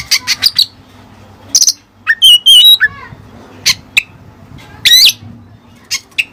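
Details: Kacer, the oriental magpie-robin, delivering Cililin learned song material: short high chips, a long wavering whistled phrase sliding up and down, buzzy squeaky notes, and spaced single high calls with brief silences.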